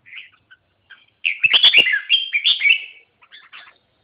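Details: Red-whiskered bulbul giving a fast, jumbled run of clear whistled and chirped notes with a loud rich middle phrase, framed by softer chirps; no background noise.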